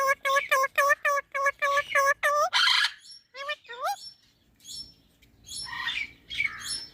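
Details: Pet green parrot talking, opening with eight evenly spaced, nasal harmonic calls about three a second, then a harsh burst and rising slurred notes, followed by softer scratchy chatter.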